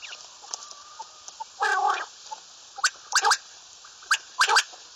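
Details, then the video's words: Common quail (Bater) call: a harsh, rasping burst followed by tight clusters of two or three crisp, clicking notes spaced about a second apart, against a hissy background. "Bater Ki Latest Awaz, Batair ki Awaz, Bater , Bater fight, Bater voice , Common quail"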